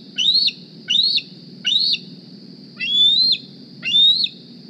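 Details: Juvenile bald eagle at the Decorah nest, arriving in the morning and squeeing for food: five high, thin whistled calls rising and breaking downward, about one per second, over a steady tonal hum.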